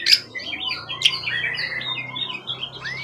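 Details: Wild-origin event bird with a tail of 20 cm or more, known for contest wins, gives a sharp opening note, then bubbling chirps and a rising whistle, over a faint low hum.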